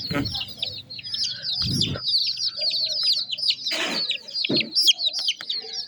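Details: Numerous baby chicks keep up a continuous chatter of shrill, falling peeps, while occasional low thuds and rustling bursts from movement break through.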